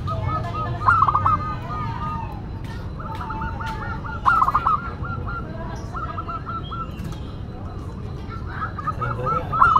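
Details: Local zebra dove in lively classic song: repeated phrases of quick stuttering coos with a sharper trilled flourish, recurring every few seconds; a few faint clicks in the background.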